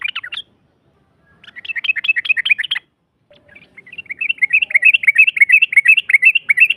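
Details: Yellow-vented bulbul lure song in a long rapid 'ropel' style, used to provoke a rival into answering; quick bubbly chattering notes in dense bursts, a short burst, a pause, then a longer run of fast warbled notes.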